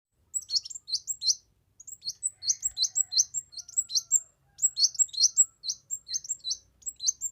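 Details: Kemade bird singing energetically, a recording meant for tutoring, luring and prompting other birds: rapid bursts of high, sharp chirps and twittering notes in quick clusters, with short pauses between phrases.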